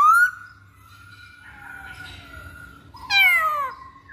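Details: Masked laughingthrush lure song for trapping or training birds: loud whistled notes sliding down, a long level whistle in between, then a bright falling whistle near the end.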